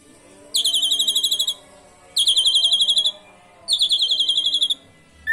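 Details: Asian pied starling song with canary imitations, meant to stir other birds to sing: three rapid, rolling high trills, each lasting about a second and spaced roughly 1.6 seconds apart, over a faint steady background hum.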